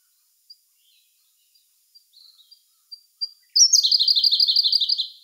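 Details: Siberian Blue Robin song recorded in May 2021: scattered faint high ticks and a short quiet twitter build up before an energetic rapid trill of repeated chirps over a second and a half.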